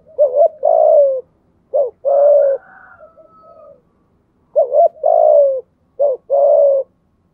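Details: Decoy spotted dove used to lure wild doves in the rainy, windy season, cooing in a voice style called thổ sấm: two phrases, each a short wavering double note then a long, slightly falling coo, with softer coos between.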